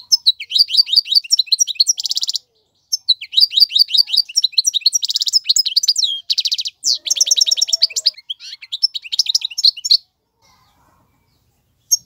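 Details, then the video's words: Male European goldfinch in full song for tutoring young birds: long sequences of rapid downslurred chirps, harsh buzzy bursts and tinkling trills, ending in a pause. "اقوى تغاريد الحسون, مقنين فحل لتعليم الفراخ"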